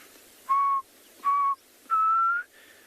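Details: A Black Cuckoo calls near a busy road on a South African game reserve during an afternoon safari on 2 November 2020. It gives three mournful whistled notes, the last longer and slightly rising, like a plaintive 'I'm so sad', over a faint hiss.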